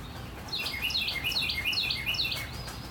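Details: Northern cardinal song in morning rain, a run of about seven loud, clear whistles, each swooping steeply downward, delivered rapidly and evenly over steady rainfall noise.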